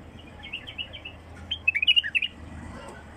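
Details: Wild bulbul singing a short run of sweet, fluty notes in a tight cluster, with a few softer chirps before it and a low hum behind.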